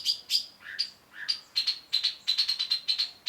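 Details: Cendet, the long-tailed shrike, singing for a tutor recording: a few high, sharp notes and two lower buzzy slurs, then a quick string of clipped, ticking, high notes repeated rapidly.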